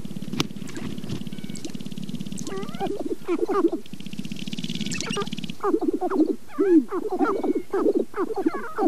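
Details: Sharp-tailed grouse in April at Namekagon Barrens in northern Wisconsin, captured on a Canon 5D Mark II with twin Sennheiser ME67 microphones: a low steady rumble is followed by bursts of harsh, bending cackles and clucks from the second half on.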